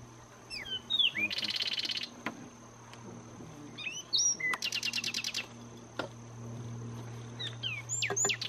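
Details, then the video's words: Zapata Wren singing in the Zapata Swamp National Park, Cuba: short slurred whistled notes lead into a rapid, dense rattling trill lasting under a second, repeated twice, then more rising whistles; a steady high thin tone and low hum run underneath. "Zapata Wren singing in Zapata Swamp, Cuba"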